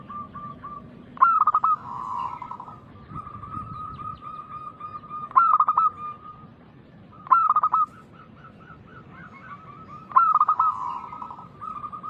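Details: Local zebra dove singing loudly with a big voice, used as a lure to make other doves answer; four bursts of quick, stuttering, rising cooing notes about every three seconds, linked by long runs of steady, even cooing notes.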